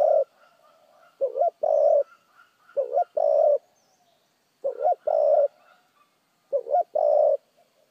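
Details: Spotted dove cooing in the fast-paced "thúc gù" style: low, mellow coos in short-then-long pairs, each pair followed by a pause, repeated roughly every 1.7 seconds, with faint chirps in the background.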